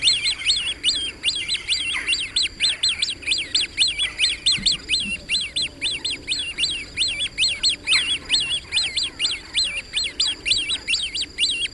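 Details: Great crested grebe: a long, insistent run of shrill piping notes, repeated a little over twice a second without a break, each note a sharp up-and-down whistle.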